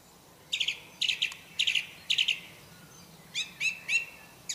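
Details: Wild orange-banded thrush isian song: four rasping, stuttered double notes repeated roughly every half second, followed by three clearer downslurred whistles, the quiet background free of other sounds.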